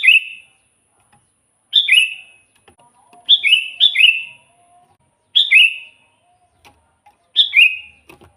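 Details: Kutilang, the Sooty-headed bulbul, heard as a trapping lure; crisp two-note chirps descending in pitch, given singly and in pairs roughly every one to two seconds, with a faint hum behind.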